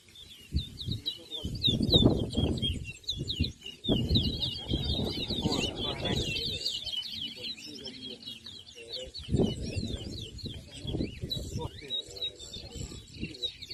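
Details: Large-billed seed-finch, locally towa towa, singing in a bird race at Anna Regina park, Essequibo, 2023: continuous high twittering phrases, heard through stretches of loud talking nearby.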